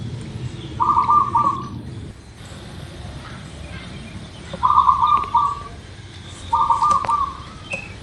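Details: Local zebra dove song used as a lure to get birds singing quickly: three short, bubbly trilled coos with a rolling, purring texture, spaced a few seconds apart, over steady low background hum and faint other bird chirps.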